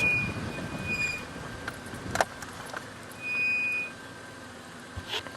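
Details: A safari drive with a vehicle rumbling along, sharp squeals and rattles, and a steady electronic tone starting and stopping.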